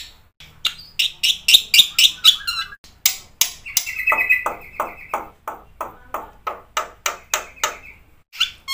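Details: Black-winged myna in full 'isian' gacor song, meant to coax non-singing birds: sharp high chips repeated steadily about four per second, with sustained level whistles and harsher rasps woven in.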